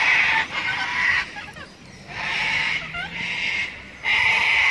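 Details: Sulphur-crested cockatoos at Robertson Park, St Lucia, giving four loud, harsh, grating screeches, each about a second long, with short gaps between them.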